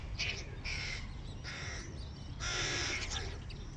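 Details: Begging hooded crow chicks react to their father bringing food with four raspy cries, the last one longest and loudest, over a continuous low hum.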